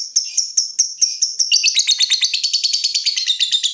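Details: Lovebird starting with ngetik ticking, sharp high notes spaced about a fifth of a second apart, then switching into ngekek, a rapid, continuous rattling trill that speeds up and fills the rest of the phrase.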